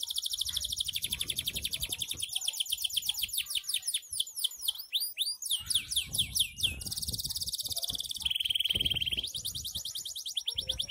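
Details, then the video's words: F1 canary in ngedur style, long continuous song: fast high trills shifting into rows of swooping downslurred notes, then dense buzzy rolls and a lower steady trill, all unbroken; soft low background rumble. "kenari F1 ngedur"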